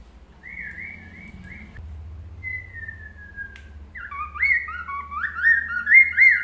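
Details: Melodious laughingthrush song as a master recording to make birds answer: long steady whistles with a slowly falling note, then a rapid, loud run of warbled whistled phrases over a low hum.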